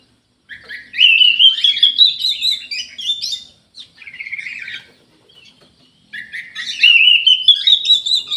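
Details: Orange-headed thrush delivering long rising warbled phrases, rich and scratchy, each climbing steadily in pitch; a short buzzy motif between them and a pause before the next rising phrase.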